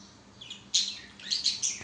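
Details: Pet budgerigars playing on a swing give a rapid string of bright, high chirps and squeaks that grow louder toward the end.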